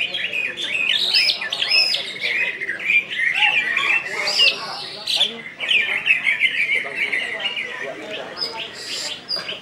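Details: Caged greater green leafbird from West Kalimantan (Kalbar), singing in the ngentrok and nembak styles: a dense, continuous stream of fast, chattering, squeaky notes with high shrill whistles, a loud busy phrase packed with varied short figures.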